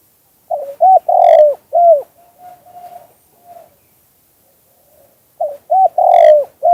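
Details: Spotted dove cooing in a 2กุกห้อย style: rounded mid-pitched coos in a quick phrase, then softer trailing notes and a pause before the phrase repeats. Background is otherwise quiet.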